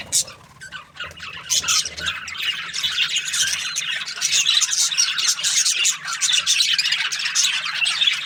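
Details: Budgerigar breeding pairs in an aviary: quieter scattered chirps at first, then the flock swells into loud chattering, harsh squawks and sharp high notes.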